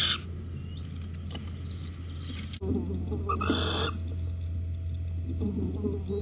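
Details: Little owl perched on a beam at Holten, 19 May 2020, 11:37, gives a thin, rising mewed note, then a harsh, hissing screech, over a steady low electrical hum.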